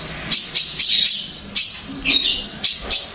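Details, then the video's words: Long-tailed shrike song meant to make another shrike reply and sing, a string of high harsh chirps spaced about a quarter second apart. "Berikan suara ini untuk cendet anda pasti akan nyaut dan gacor"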